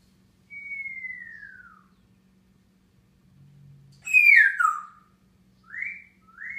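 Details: Grey parrot on top of its cage, morning of June 15, 2016, producing a long descending whistle, then a loud harsh buzzy note sliding down, followed by two short rising whistles.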